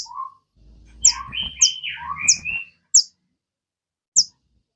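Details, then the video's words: Sogon kept in a cage, played to coax other birds into singing: brief high piercing chips over a lower warbling, slurred phrase of rising and falling whistled notes, with faint low rumbling beneath. "PANCINGAN SOGON. BIAR SOGON MU IKUT CEPAT RAJIN BUNYI"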